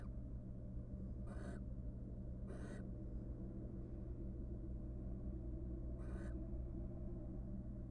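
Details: In a monitored nest box, a wild barn owl couple courting after raising three nestlings gives three harsh hissing screeches, two close together then one after a pause, over steady hum.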